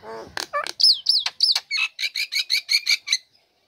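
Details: Caged female Nias hill myna singing as soon as its cage cover is lifted, kept to coax lazy birds into singing: a low harmonic note, then loud whistled down-slurred notes, then a quick run of about a dozen short repeated notes.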